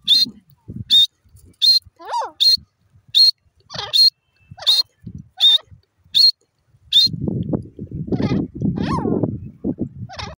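A francolin gives short, sharp, high notes repeated about every three-quarters of a second for several seconds; then rough, voice-like noise takes over.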